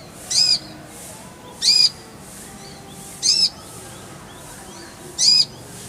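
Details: Kolibri ninja, Van Hasselt's sunbird, sung as a clear-voiced tutor recording: four evenly spaced, high buzzy squeaks, roughly one every one and a half seconds, over soft background hiss.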